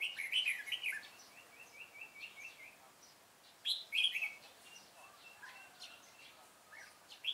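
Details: Red-whiskered bulbul recorded while trapping on 25 April 2017: loud bubbly warbled phrases open the stretch, followed by a neat series of short repeated chirps, then another burst of rich warbling and a final note.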